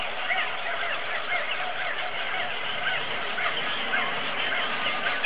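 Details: Auklets calling together in a dense colony din on Buldir Island, with many overlapping chattering and honking notes blending into a steady, unbroken roar.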